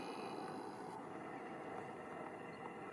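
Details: Steady roar of flowing water fills the recording; no animal voices stand out.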